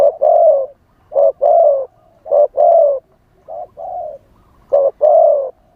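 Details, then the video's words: Spotted dove calling as a decoy to draw in wild doves, wild-style song. Four short-then-long coo pairs, low and rounded, one pair noticeably softer, spaced roughly a second apart. "เสียงต่อนกเขาใหญ่ คารมป่า 100 % ต่อสด"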